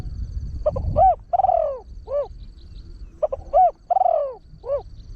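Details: Trained spotted dove with a big voice, crowing quickly with one tossed 'kuk' note to draw in wild birds. Two full phrases of low hoots, a long falling coo and a closing hoot, a little over two seconds apart.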